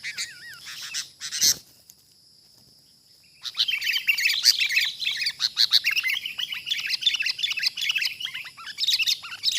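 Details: Wild sooty-headed bulbuls during a trapping session: a dense stream of short chirps and bubbly, bent notes, chattering almost continuously after a brief quiet gap early on, with a thin steady whine overhead.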